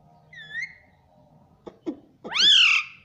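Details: Pet talking parrot saying mummy: a soft whistled note, two brief clicks, then one loud, squeaky, drawn-out syllable that rises and then slides down.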